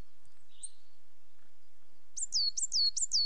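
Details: Coal tit: after a single thin note and a pause, a fast series of five high, falling whistled notes near the end, otherwise quiet.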